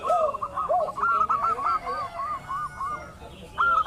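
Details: Local zebra dove lure call to make rivals answer: bouncy arched coos paired with a fast string of higher beaded notes, renewed at the close.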